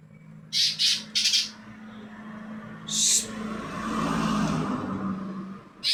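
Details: Greater green leafbird uttering several short, bright chirping bursts in quick succession, then a longer squeaky phrase, over a steady low hum and a murmur of background noise.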